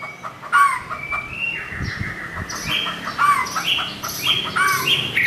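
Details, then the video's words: Curve-tailed white-rumped shama singing to challenge a rival: a string of clear whistled phrases and short chirps, some notes sliding up and down, over a low background rumble. "Murai batu ekor lengkung muntah materi panggil lawan"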